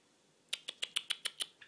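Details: A pet Java sparrow, let out of its cage for morning free time, gives eight sharp, high chip notes in quick succession, about seven a second, in an otherwise quiet room.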